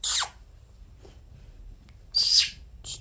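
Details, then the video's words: Two pet conures indoors: a sharp descending squawk, a faint soft note, then a louder buzzy squawk and a brief final chirp. "Chirps and funny conure sounds"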